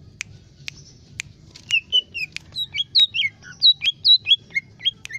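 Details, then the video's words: Lesser green leafbird (cucak ijo mini) in lively, continuous song, used as a tutor recording for other birds: scattered sharp clicks open, then a quick run of bright whistled notes, many dipping or swooping, delivered about twice a second, with faint low background hum. "CUCAK IJO MINI gacor"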